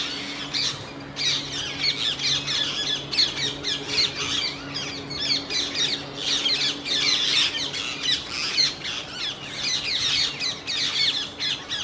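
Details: Indian grey hornbill pair during mating; continuous chorus of harsh, scratchy squawks in quick pulsing bursts, several notes per second, over a faint steady low hum.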